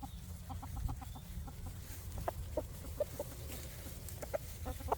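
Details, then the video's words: Free-range farm chickens roaming outdoors by day searching for bugs; short soft clucks come in irregular bursts, some closely spaced, over a steady low rumble of background noise. "Sounds Of Chickens On The Farm"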